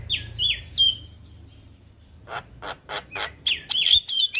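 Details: ['Javan myna, a cage bird, in a training recording. It gives three downslurred whistles, then a pause, a run of harsh broadband rasps, and closing sharp whistled notes with buzzy edges.']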